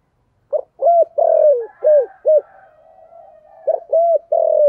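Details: Spotted dove cooing in thổ style, used as a lure for wild doves: a phrase of short, hollow coos with one long drawn note that sags at the end, then a second phrase begins after a soft murmur.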